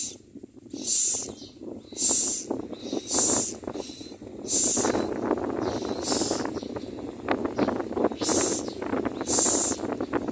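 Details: A Common myna chick begs as the parent birds feed it, giving shrill, hissing bursts about once a second over a steady background of low rustling and distant noise.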